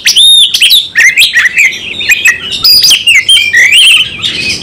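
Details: Oriental magpie-robin fighting hard in song, full repertoire on show: high piping opening notes followed by rapid rising and falling whistled slurs and chattering notes.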